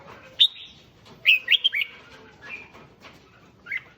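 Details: Song of a red-whiskered bulbul, played to excite other bulbuls into singing: a sharp high note, then a tight burst of three or four bubbly whistled notes, then softer scattered notes.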